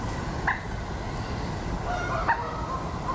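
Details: At Fleet Pond on 10 July 2019, a common moorhen with chicks, the parent busy gathering food for them, gives two short, abrupt mid-pitched calls about two seconds apart over a steady low rumble of wind and background noise.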